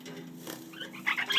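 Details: Pet lineolated parakeets kept with their chicks; after a second of low steady hum and faint rustling, a quick cluster of short, bright, harmonic chirps closes the recording.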